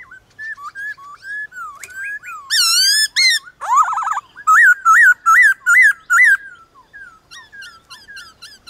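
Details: White-cheeked laughingthrush duelling with wild birds in the morning: soft whistles, a loud, ringing phrase, a burst of rapid trilling, then five strong, bouncing notes in a row before quieter, scattered whistles.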